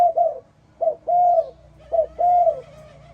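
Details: Spotted dove in the morning giving three quick phrases, each a short coo followed by a longer, smooth, hollow croo, repeated roughly once a second.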